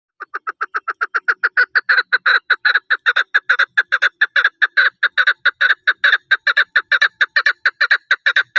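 A chukar partridge gives a long, rapid run of harsh, clucking chuck notes, about four a second, growing louder and falling into doubled beats. No other sounds.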